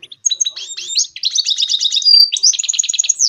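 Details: Continuous goldfinch mule song used to spur other birds to sing: varied twittering notes lead into dense, rapid pulsed trills and a sustained high whistle, all delivered without pause.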